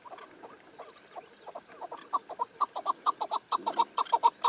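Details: Chukar partridge (keklik) calling: a run of clucking chuck notes that starts soft and grows steadily louder, about two notes each second, with the last notes sharp and strong.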